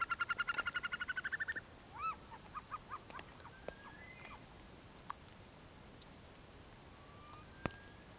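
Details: Himalayan snowcock calling in Lamoille Canyon, Nevada: a rapid, accelerating series of clipped nasal notes, then scattered thin whistled notes and faint clicks over a quiet background hiss.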